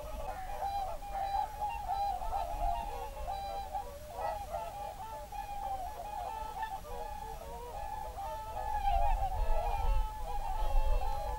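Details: Evening chorus of whooper swans alongside geese in a national park, 7 February 2023: dense, continuous overlapping bugling and honking calls with wind-like low rumble, strongest toward the end.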